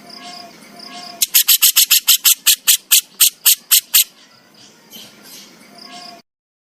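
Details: Javan crested jay besetan, recorded as a master track with pauses: a sudden burst of about fourteen sharp, evenly spaced harsh clicks over about three seconds, then faint background hum and distant tonal whistles.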